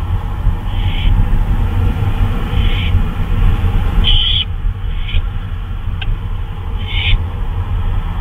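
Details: At 2:39 AM on May 26, 2013, an owl roaming about at night lets out five short, hoarse screeches, one louder than the rest, over a steady low-pitched rumbling background.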